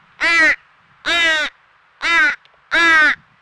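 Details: Crow baby crying at a squirrel feeder, Nova Scotia, Canada, after its noisy family chased off a squirrel: four harsh, nasal caws repeated roughly once a second.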